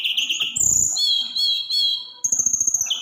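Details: Snowy-browed flycatcher song, 'roll tembak' style meant to make other birds sing: long high trilled notes and steady thin whistles at two pitches, broken by low rattling knocks.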